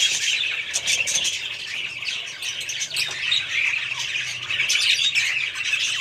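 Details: Budgerigars of a family group chattering together: rapid, irregular chirps and harsh squawks overlapping in a steady high warble, a few sharper notes near the middle, the babble barely pausing throughout.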